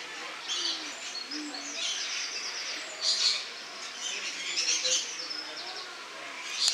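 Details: Lorikeets, August 2015: high, buzzy chattering and grating shrieks, quick stuttered notes and several sharper screeches spaced through the recording, more than one bird calling.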